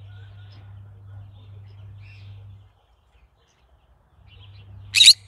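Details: A single brief, harsh shriek from a green-cheeked conure at the very end, following a stretch of quiet low humming.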